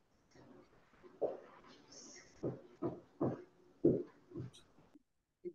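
Trumpeter Swan giving about six deep, nasal, horn-like honks at an uneven pace, some in quick pairs, with faint room sound between them.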